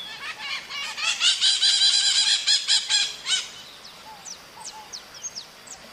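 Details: Maritaca parrot singing: fast, harsh, buzzy squawks in a steady chattering run for three seconds, then a quieter stretch with thin high chirps.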